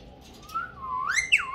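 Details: Pet ringneck parrot trained to talk in Urdu and Hindi; a soft wavering whistled phrase slides slowly upward, then a brighter rising and falling note ends the short sequence.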